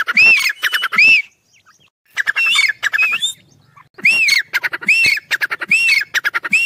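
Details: Black francolin (kala teetar) chicks fighting: bursts of harsh, buzzy pulsed notes mixed with loud arched squawks that rise and fall, repeated in clusters with short silent gaps between the bouts.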